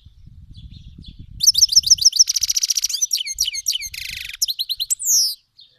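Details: Himalayan goldfinch hybrid from Iran, a black-headed cross, sings a tutoring song for young birds: rapid tinkling chirp series, dense buzzy rattles and slurred whistles in fast succession, over faint low rumbling at the start.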